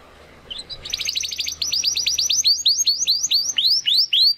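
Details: Spanish Timbrado canary, a young male still finding his song, begins with quick trilled notes that slow into a series of rising-then-falling slurred whistles about five per second.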